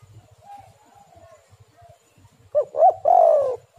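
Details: Spotted dove lure song to get other doves calling: faint, distant coos, then a louder close phrase of quick hiccuping notes and a long, downslurred coo, over low rhythmic thumping.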